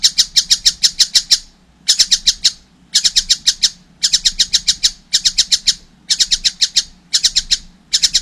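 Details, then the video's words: Juvenile collared kingfisher repeats neat bursts of six or seven rasping notes, each burst about one second long and followed by a short silence. "wow masih kecil udah gacor , anakan burung tengkek buto"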